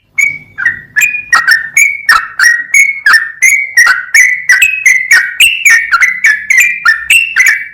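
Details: Sooty-headed bulbul song used as a tutor recording for cage birds: a long run of bright, slurred whistles, each starting with a sharp attack then sliding and fading, about three notes per second, with slight pitch changes between notes.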